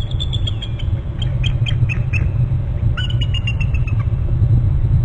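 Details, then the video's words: Bald eagle trills at a nest on Hornby Island: thin, high, rapidly repeated chirping notes in two series, the second more stuttering, over heavy low wind or traffic-like rumble. "2 9 800 hearing trills; 801 more trills and both into the nest"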